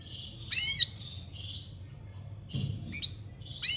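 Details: European goldfinch, 'campero' style singing, 2021: short separate bursts of high, buzzy twitters and quick chirps, spaced by pauses of about a second, over a low background hum.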